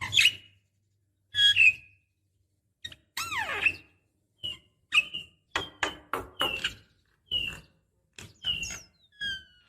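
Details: Female Javan myna calling a male, used as a decoy: separate squeaky and whistled notes, some sliding downward, with harsher buzzy bursts spaced irregularly through quiet gaps.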